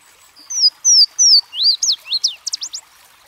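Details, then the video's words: Louisiana waterthrush, a bird of streams, delivers its song: three high whistled slurs descending in pitch, then a quick sputtering series of looping, lower notes closing with brief rapid chips. "Louisiana Waterthrush Song"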